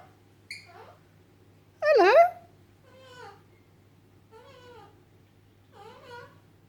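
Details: Pet Alexandrine parakeet indoors, chatting with its owner: a loud nasal, harmonic squawk followed by softer warbling, talk-like chatter notes repeated every second or so, over a steady low hum.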